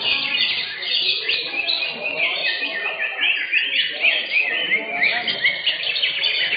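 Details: Contest green leafbirds in an Indonesian singing competition, caged, in full song: busy, overlapping high chirps, slurred whistles and rapid phrases without pause, with a murmur of people beneath.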